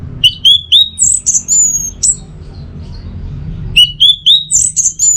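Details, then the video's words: Orange-headed thrush in 'teler' song, used to train and trigger other birds: a quick run of upslurred whistles, then long high clear whistles falling slightly, the whole sequence repeated after a pause; faint low hum. "Masteran sekaligus Pancingan Burung ANIS MERAH Agar Selalu Bisa Menikmati Telernya setiap saat"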